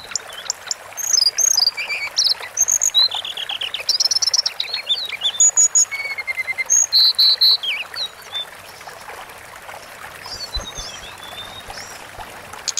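A Sunda forktail sings a fast run of thin, high whistles, sharp chips and falling slurs for about eight seconds, then fades to a few softer notes over a steady hiss.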